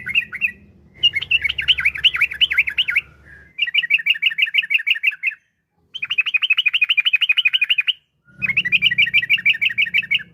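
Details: Yellow-vented bulbul song meant to prompt kept bulbuls to sing: four long fast bursts of rapidly repeated bubbling notes, separated by short silences, with low hum in parts.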